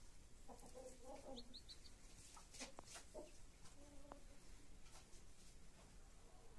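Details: Hen with her chicks: low, throaty clucks in a quick burst at the start, a louder cluck later, and a few high chick peeps between them, with scattered clicks and a steady low hum.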